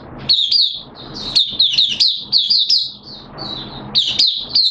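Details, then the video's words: During its second day of monthly deworming, 13 September 2022, a caged oriental white-eye sings a rambling stream of high, slurred twittering notes, dense and rapid, with one short lull midway. "Mata Puteh T Rex Buka Sing"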